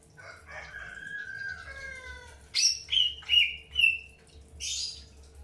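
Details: Greater green leafbird in early pairing: faint drawn-out whistles at first, then four loud, sharp chirps with down-slurred tails in quick succession, ending with a short buzzy note.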